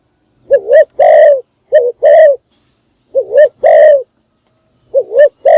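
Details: Spotted dove used as a decoy to call other doves, in the morning: loud paired coos, a short wavering note then a longer rich coo, repeated about four times.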